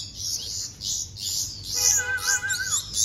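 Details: Bulbul chicks begging while being hand-fed: harsh, high chirping bursts in quick succession, joined near the end by a steady, wavering tonal whistle.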